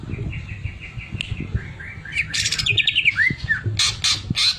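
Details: Actively singing greater green leafbird with sewing-machine filler: a quick series of repeated whistled notes, twisting slurred phrases, then loud buzzy pulsed bursts over a low rumble.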